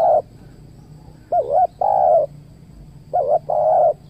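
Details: Spotted dove cooing at a luring session with a trained decoy at a new location in Riau Islands, Indonesia; paired phrases of a quick wavering double note followed by a longer level mellow coo, repeated about every two seconds.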